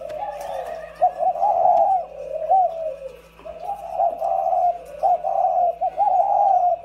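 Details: Two spotted doves in captivity giving loud, low, burry coo phrases in bursts of several notes with brief pauses between groups, against a steady background hum.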